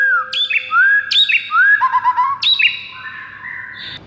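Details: White-rumped shama morning song for training kept birds: rising whistled notes opening with sharp high clicks, a rapid rolling trill in the middle, then softer trailing whistles.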